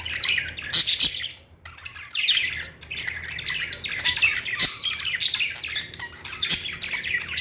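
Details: Lovebirds in a pet store chirp in a busy, overlapping chorus of shrill, scratchy high notes in bursts of a second or two, with sharp clicks and squawks mixed in.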